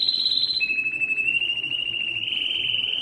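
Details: Belgian canary giving its strong song to attract females for breeding: a high steady whistle drops to a lower sustained tone that slowly rises into a soft fluttering trill, with little else audible.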